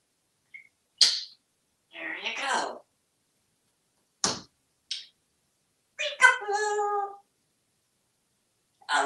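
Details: A talkative male African Grey parrot, hatched 1997 and kept in a Texas home, talks about crows in short bursts: sharp clicks, a raspy breathy phrase, then a clear voice-like phrase with a tonal ring, with short silences between.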